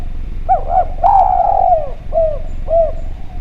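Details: Spotted dove from Java, singing freely for a clear lure track: two short looped coos, a long drawn-out sliding coo, then two more short coos spaced about half a second apart, with low background hum.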